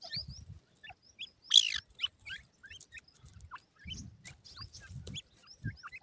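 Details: White grey francolin chicks feeding in captivity: sparse thin high peeps and short chirps with gaps of quiet, one brief louder squeaky burst, and soft low knocks.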